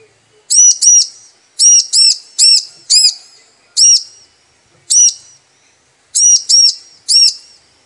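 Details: A female bar-winged prinia calls the male, a sound meant to lure males into singing: piercing arched high notes, mostly paired with some single, delivered in uneven bursts over a quiet background.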